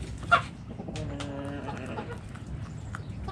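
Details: Backyard hens eating in the coop; a sharp click, then a sustained nasal harmonic cluck lasting about half a second, followed by softer clucks over a low background hum.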